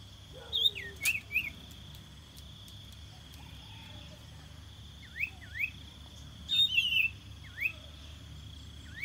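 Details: Common iora song used as a decoy to lure birds: scattered short, sharply rising whistles, some in quick pairs, with a brief burst of higher chirps midway, over a steady high-pitched tone and low rumbling background.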